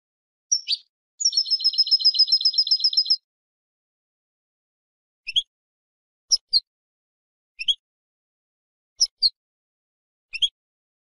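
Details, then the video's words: A female European goldfinch, whose calls are used to stimulate a silent male to sing, gives a high, rapid trill of about twenty notes, then short, bright chirps spaced roughly a second apart. "بتبتة انتى الحسون لتحفيز و تهييج الذكر الساكت"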